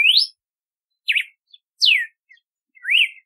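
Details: Red-cowled cardinal, known locally as galo de campina, singing clear whistled phrases: a rising slur, a zigzag note, a falling slur and an up-down note, spaced about a second apart against a silent background.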